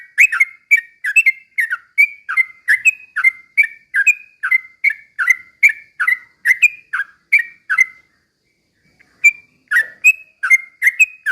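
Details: Long run of slow ropel song by an active trucukan, Yellow-vented bulbul, played to rouse other bulbuls; about twenty evenly spaced bubbly whistled phrases, a pause of about a second, then the series continues.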